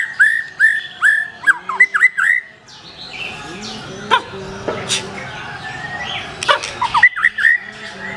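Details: Black-tailed white-rumped shama delivering a burst of varied, slurred whistles and quick chirps, a quieter stretch of scattered notes, then more sharp whistled phrases at the end.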